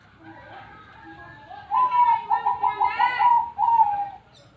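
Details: Loud zebra dove song: a short lead-in note, then a fast rolling trill of roughly seven bright pulsed coos at steady mid pitch, finishing with a longer falling note, over low background murmuring.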